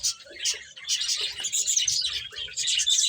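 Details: Feeding finches give a tight stream of sharp, high tweets and twitters, several birds calling at once, with soft lower sounds beneath the chorus.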